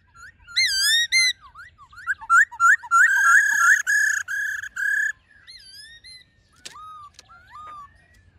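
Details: A black-throated laughingthrush gives its forest song for luring wild birds: wavering whistles, quick upslurred notes, a fast burst of clipped whistled notes, then softer falling whistles spaced apart.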